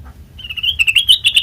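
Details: Black-crested bulbul, a trapping-lure recording: a thin whistle swells into quick, pulsing chirps, each note bright and slightly rising, about eight per second at the end.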